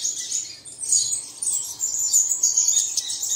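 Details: Birdsong played in the early morning to prompt caged birds to sing: a dense chorus of thin, high chirps and twitters overlapping continuously, with short bursts swelling and fading.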